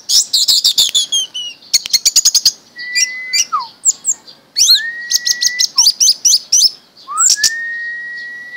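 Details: Caged orange-headed thrush, kept as a pet since it was young, singing rapid bursts of high, sharp chirps and trills, broken by long, pure whistles that rise and then hold steady, with a brief falling note after each.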